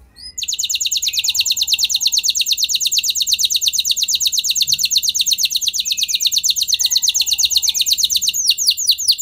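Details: F1 canary singing to prompt other canaries: a sustained rapid high trill lasting about eight seconds with faint low tones beneath, ending in slower sweeping notes.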